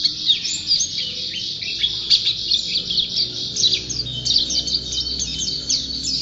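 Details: Champion white-eye singing a continuous high, lively twitter of rapid slurred and trilled notes with little variation in loudness, over a faint low background hum.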